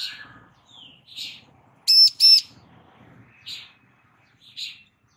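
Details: A female bar-winged prinia calls for a male to reply with one loud pair of piercing high notes. Softer, hoarse chirps from other birds recur before and after, with faint low background noise.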